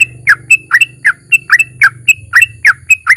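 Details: Sooty-headed bulbul in lively long ropel song with narung, used as a lure to get other bulbuls singing; rapid repeated chirpy notes, several per second, over a steady low hum.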